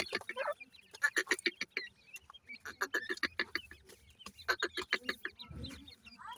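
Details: Grey francolin chicks calling at their nest: rapid clusters of short clicking clucks, several per second, broken by brief pauses, ending with a low rustling thump and a small rising chirp.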